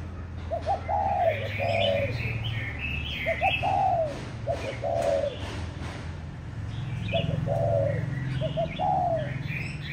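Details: Spotted dove, a former decoy bird now kept as a pet on a balcony in Hanoi, where it coos all day: soft, mellow phrases of a couple of short notes then a longer rolling coo, repeated every few seconds; small birds chirp over a low hum.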